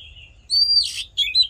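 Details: Oriental magpie-robin fighting song used in voice training: a soft warble, then one long, even, high whistle ending in a harsh, noisy burst, followed by short chirping notes.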